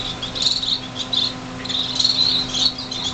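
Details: Newly fledged finches, six birds, greenhouse, January 2007: overlapping high chirps in two main bursts separated by a short lull, against a low steady hum.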